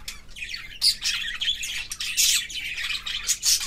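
Budgerigars chirp in a busy, high-pitched stream of twittering notes and scratchy warbles.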